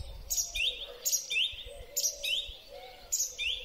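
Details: Spring song of a song thrush, captured with a Huawei P30 Pro phone: one clear whistled phrase repeated four times, about once a second, each ending in a rising note, with soft low cooing behind.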